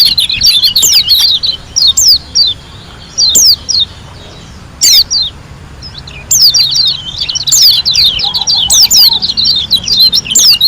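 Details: Lombok white-eye giving its busy song: short clusters of high, slurred chirps separated by brief silences, then a long rapid twittering run over the last few seconds.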